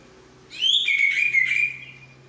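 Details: White-rumped shama of the Medan type showing its imitated repertoire, giving one bright phrase of a high note falling into a rapid quivering whistle that lasts about a second.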